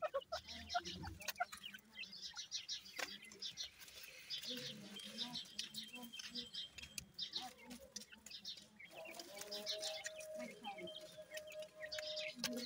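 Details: Grey francolin chicks feeding in summer: thin, high chirps given in quick rattling bursts every second or two, over a faint low rumble with scattered clicks and rustling.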